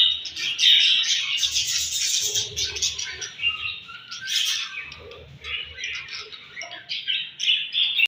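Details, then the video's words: Budgerigars in the morning at feeding time. Several birds chatter at once in a dense, unbroken stream of bright, high chirps and scratchy warbles that swells and fades in loudness, with faint low rumbling underneath. "𝘽𝙪𝙙𝙜𝙞𝙚𝙨 𝙈𝙤𝙧𝙣𝙞𝙣𝙜 𝙁𝙤𝙤𝙙 𝙒𝙞𝙩𝙝 𝙈𝙤𝙧𝙣𝙞𝙣𝙜 𝘾𝙝𝙞𝙧𝙥𝙞𝙣𝙜 𝙎𝙤𝙪𝙣𝙙𝙨"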